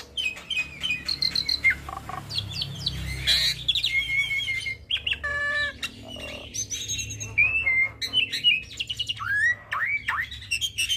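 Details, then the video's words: A lively hybrid starling delivers a mimicry-rich song meant for tutoring pied starlings and other songbirds, mixing sharp chirps, a rapid rattled burst, and downslurred whistles in an unbroken jumble. "Jalak Silangan gacor Full Isian Pas Untuk Masteran Jalak Suren dan Burung Kicau lainnya"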